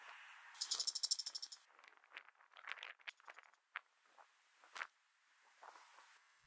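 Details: Bull-headed shrike, a resident bird in Korea, recorded in November 2023: a run of harsh, scratchy notes in quick succession, then scattered single rasping calls, with a buzzing insect-like rattle near the start.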